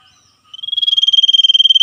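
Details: Ngetir trilling of a common iora calling with wild birds in nature: a short lead-in note, then a rapid pulsed trill held level on a high pitch.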